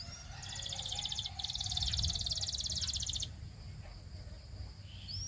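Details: Canary song for training: a dense high rattling trill runs for about three seconds over a background hiss and low rumble. A thin rising whistle comes near the end.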